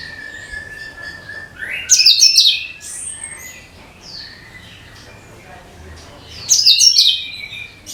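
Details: Cucak kinoi song used to lure birds: a steady thin whistle, then two loud, shrill chattering bursts about four and a half seconds apart, with softer sliding whistles in between.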